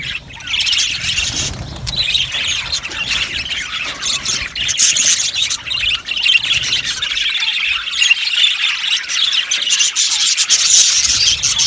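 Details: Budgerigar colony in an aviary, a busy overlapping chorus of shrill chirps and squawky chatter running throughout.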